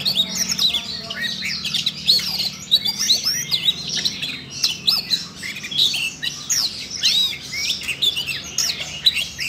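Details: Siberian rubythroat excited into song by training audio meant for a young magpie-robin. A dense run of high squeaky whistles, buzzy trills and quick downslurred notes flows continuously, over a steady low hum at the start.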